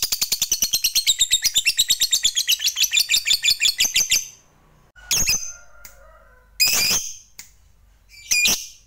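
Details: Fighter lovebird's long ngekek chatter, used to get other lovebirds singing: about four seconds of fast, shrill rattling notes, then silence broken by a few separate harsh squawks.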